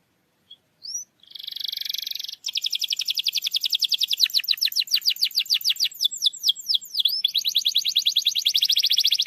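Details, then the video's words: Canary used as a singing lure for quiet canaries: a couple of soft notes, a long buzzy high trill, then an extended fast rattle of repeated syllables with swooping whistles, continuous throughout. "PANCINGAN KENARI MALAS BUNYI"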